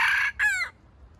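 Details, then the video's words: Red junglefowl decoy bird used to lure wild chickens into a trap, giving the tail of a clipped crow: a bright harsh burst, then a short falling, stuttered note, over a quiet low hum. "Trap wild chicken with stuttering bait"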